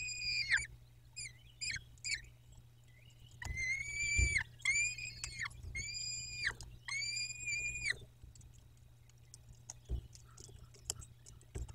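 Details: Peregrine falcons at the nest in Dobra, recorded 14-05-21 at 14.18 during everyday nest life: a few short, high chipping notes, then four drawn-out harmonic wails, each holding steady before dropping at the end, with light rustling.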